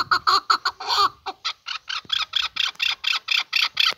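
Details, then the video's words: Male chukar partridge giving a steady string of bright, clipped chuck notes, about five per second, clear and close with a quiet background. "Kınalı erkek keklik sesi"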